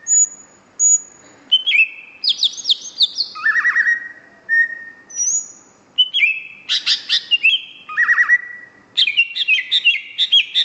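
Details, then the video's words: Greater green leafbird in full gacor song until exhausted, mixing high thin whistles, descending slurred phrases and rapid chattering bursts in quick succession, a rich varied medley. "Kicau Cucak Hijau Gacor ..... Sampai Teler"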